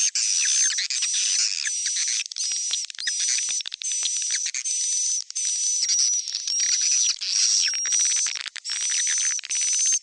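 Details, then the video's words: Swiftlet call for drawing in young birds, stereo. Very high, shrill chirping packed into dense bursts, each lasting about a second with short gaps between them, and a thin steady whistle running through the bursts. "Suara panggil Burung walet, panggil anakan stereo"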